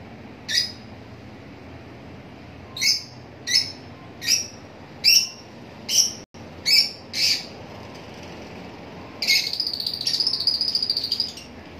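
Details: Lovebirds giving shrill, sharp chirps repeated at uneven intervals, about eight in the first seven seconds, then a dense burst of high chattering toward the end over a faint background hiss.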